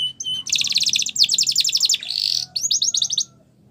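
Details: Training song for canaries, Spanish Timbrado style mentioned: a short whistle, then dense high rattling trills in bursts, a brief buzzy sustained phrase, and a final series of quick clipped notes before silence.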